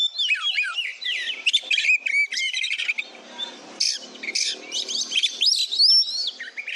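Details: Oriental magpie-robin singing steadily for tutoring other birds: varied whistled phrases with rising and falling slurs, interspersed with harsh bursts of noise-like notes, strongest whistles near the close.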